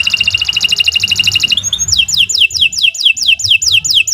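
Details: Canary song lure for prompting birds to sing: a fast even trill for about a second and a half, followed by a string of sharp repeated downslurred whistles.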